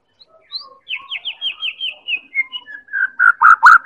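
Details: White-rumped shama lure song from Medan for getting other birds to sing: a descending run of about ten quick whistled notes, then loud lower rich notes repeated several times.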